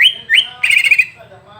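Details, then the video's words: Greater green leafbird singing, used as a training recording to provoke a bird: two quick rising whistles followed by a loud buzzy, warbling trill that fades out. "Masteran untuk cucak ijo biar terpancing emosi"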